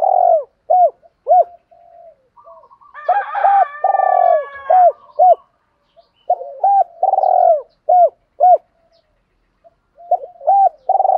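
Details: Spotted dove lure call used to provoke wild doves into cooing back: loud mellow coos in quick bursts of two to three notes, with a brief overlapping harsher, higher call near the middle.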